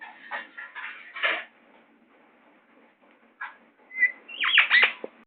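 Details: Indian ringneck parakeet, a young pet kept indoors, makes rough chattering murmurs, falls quiet, then bursts into a whistled note and a run of sharp downslurred squawks at the end.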